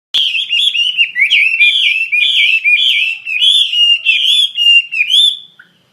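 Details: Wambi mandarin bird singing actively: a continuous run of bright whistled notes, each slurred up and down, delivered in quick connected phrases for about five seconds before stopping abruptly.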